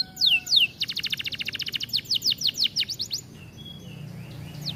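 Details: Canary (kenari) from an aviary, its song used as a tutor for training birds: two falling whistles open into a rapid run of high repeated notes, then looping down-swept phrases and softer trailing chirps.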